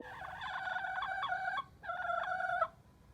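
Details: Chicken making whiny sounds: a sustained, nasal, harmonic whine held for about a second, a brief pause, then a second, shorter whine on the same steady pitch.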